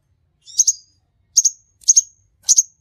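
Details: Sunbird kept in captivity and singing briskly, used as a lure recording: four evenly spaced, very high double chirps, each a quick sharp pair of notes, separated by short silences.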